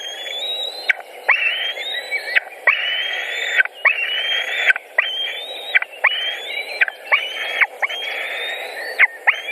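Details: White-tailed eagle nest in Latvia, 14 June 2019, while chicks are fed pike and rabbit; a steady series of about eight long, high, whistled calls, each rising then cut off by a quick slur.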